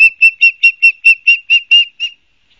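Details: Osprey at a nest watched by a live camera at Barnegat Light, New Jersey, on 12 September 2022 in the afternoon. It gives about ten high whistled chirps in quick succession over two seconds, fading at the end.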